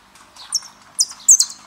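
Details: Argentine saffron finch song, the "El peregrino" recording: bright high chirps and short buzzy notes, sporadic with gaps, louder bursts near the end, quiet background.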